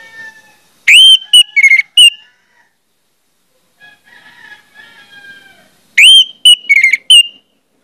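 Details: Orange-headed thrush song used as a lure to get other orange-headed thrushes singing: a loud whistled phrase of clear rising and slurred notes, then soft faint warbling, then the same bright phrase again.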